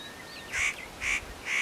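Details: Spotted nutcracker perched at Matsunokizawa-no-kashira in Japan, preening between calls: three loud grating, scratchy notes evenly spaced about half a second apart, preceded by a faint thin whistle.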